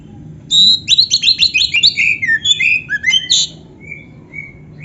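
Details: Kacer, the Oriental magpie-robin, singing a canary-filled tutor song: a rapid burst of high repeated notes that shifts into lower chirps and a buzzy phrase, then a few soft separate whistles.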